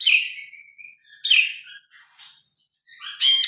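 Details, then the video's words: Grey-cheeked bulbul song captured on a phone for training other birds: two loud slurred whistles falling in pitch, softer scattered notes, then a sudden harsh chattering burst at the close. "Burung brinji kelabu gacor. Masteran burung.Suara burung brinji kelabu"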